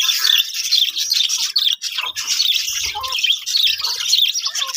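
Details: Budgerigars kept in a breeding colony fill the air with a busy overlapping chorus of high, scratchy chirps and warbled notes, steady and unbroken, with a few soft low bumps.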